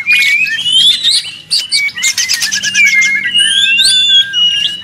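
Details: Very noisy White-rumped shama (murai batu) whose song is used to make other birds reply: bright whistled phrases, a run of quick repeated notes, then sweeping high whistles over steady chatter.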